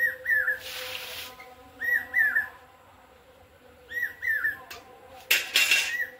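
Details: A common hawk-cuckoo calls on a Durga Puja morning, with clear, shrill three-note whistled phrases repeated about every two seconds, bursts of rustling noise and a faint steady hum.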